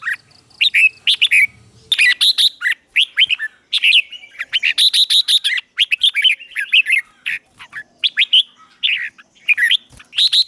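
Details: Vietnamese training recording of red-whiskered bulbul morning song meant to fire up newly caught birds: rapid, energetic whistles and chirps in irregular bursts, several notes swooping up and down, with a faint low murmur early on.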